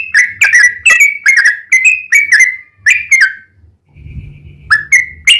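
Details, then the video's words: Yellow-vented bulbul lure song: clusters of liquid sliding chirps, a brief quiet gap with faint low rumble, then a few more bright notes. "trucukan gacor ROPEL PANJANG buat pancingan trucukan agar bunyi"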